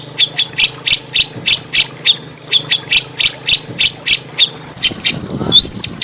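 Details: Training audio of small birds to goad a murai batu (white-rumped shama) to sing: evenly spaced sharp high chirps about three per second, ending with a quick rising whistle sweep.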